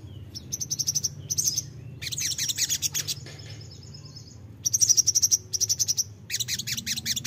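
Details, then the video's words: Crimson sunbird song used as a lure for untrained birds: separate bursts of fast, high, tinkling trills and ticks, each about a second long, with short gaps and one thin sustained high note. "pancingan ampuh sogon bahan langsung nyautt"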